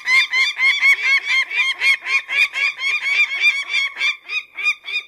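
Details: Peregrine falcon calling with a hurried, rasping chatter of repeated harsh notes, some run together, others spaced slightly apart. The run lasts the whole five seconds.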